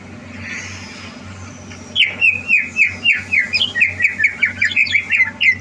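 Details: A greater green leafbird readied for a song contest, 30 November 2022. After a quiet start it launches into a fast series of bright, looping whistled notes, about four per second, over a constant low mechanical hum.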